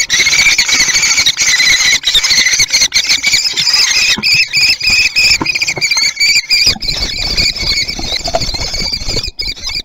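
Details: Common kestrels chasing food at Théding, France, on 3 July 2020, giving loud, almost continuous shrill screaming calls with rapid pulsing and brief breaks, over a constant rough background rumble.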